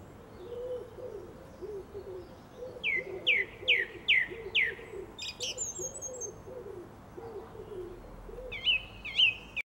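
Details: Garden song thrush, April 2021: four repeated downward-sweeping whistled notes, then sharp high notes and a final repeated whistle, over steady low cooing from a dove in the background.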